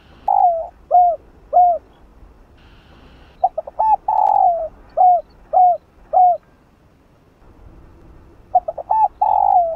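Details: Calling and urging coos of a spotted dove used as a decoy for a caged bird: bursts of short hooked coos alternating with stuttering notes and long slurred coos, separated by brief pauses.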